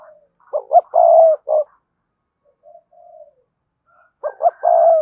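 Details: Spotted dove cooing in the cườm sa style used to stir other doves to coo. Two short notes, a long mellow hoot and a short closing note, then a quiet pause with soft murmurs. A second phrase starts at the end.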